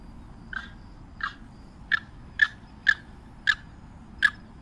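Limpkin giving seven loud, harsh notes with ringing overtones, spaced about two-thirds of a second apart and growing louder, over a low steady background hum.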